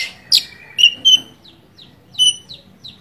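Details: Oriental magpie-robin (Kacer) singing as a lure to provoke a rival bird's emotion: short, clear whistled notes, some sliding downward, spaced irregularly over quiet background.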